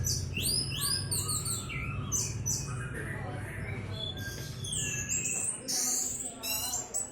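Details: Orange-headed thrush in rich, varied song: rapid whistled phrases with high sweeping notes and trills that change from phrase to phrase, over faint low background rumble.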